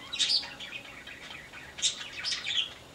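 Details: Yellow-crowned parakeet in a home aviary gives short, high chattering bursts, one near the start and a quick cluster of three toward the end, over a faint hiss.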